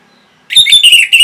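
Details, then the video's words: Orange-headed thrush (Geokichla citrina, anis merah), used as a tutor recording for cage birds, giving a loud, rich burst of high, varied whistled and chattering phrases after a brief silence. "MASTERAN & PANCINGAN ANIS MERAH GACOR INI ATASI BURUNG MACET BUNYI"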